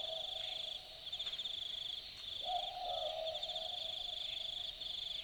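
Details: Night recording from Dharug in the Australian bush: one Australian Boobook (Ninox boobook) gives a single hollow two-note 'boo-book' call midway through. Pulsing, high insect trills and crickets dominate the background throughout.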